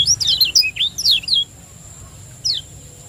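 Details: Lombok champion lemon-bellied white-eye, recorded as a training lure in the 'ciak joss' style: a fast run of bright, high twittering notes for over a second, then a pause and one more sharp slurred note, with a constant high electrical tone.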